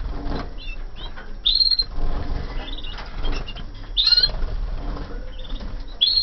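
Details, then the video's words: Canaries from 2014 singing in a flight aviary: brief bright whistled notes near the top of the range, some trilled, spaced a couple of seconds apart over low rumbling background noise. "CANARIOS DE 2014 EN VOLADERA"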